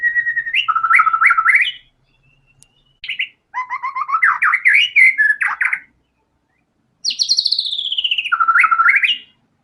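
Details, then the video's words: White-rumped shama singing vigorously, delivering its full range of learned filler material: three bursts of rapid, rich whistled phrases, slurred notes leaping up and down with trills, and a long descending whistle, separated by short pauses. "MURAI BATU GACOR‼️FULL BONGKAR SEMUA MATERI ISIAN"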